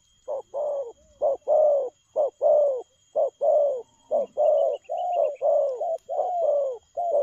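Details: Fast-cooing spotted dove in the 'lèo gù' style, a quick run of short and drawn-out low hooting notes in alternating pairs, delivered almost continuously.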